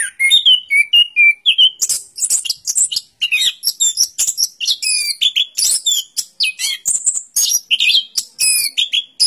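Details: Song of an orange-headed thrush: opening series of clear whistled notes, then a rapid, varied stream of high chirps, trills and slurred whistles with barely any pause.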